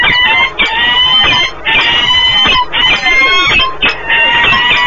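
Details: Peregrine falcon pair at a nest site in Płock, Poland, on 1 March 2019, during a long meeting and bonding: loud, harsh, wailing calls with rising and falling notes, given in repeated bursts over steady background noise.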